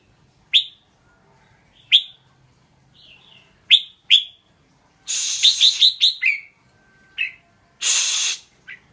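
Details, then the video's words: Red-whiskered bulbul giving sharp, isolated whistled chirps roughly every one to two seconds, then a rapid warbled run masked by a harsh rushing noise. A second burst of broad hissing noise follows near the end. "เสียงร้อง นกกรงหัวจุก"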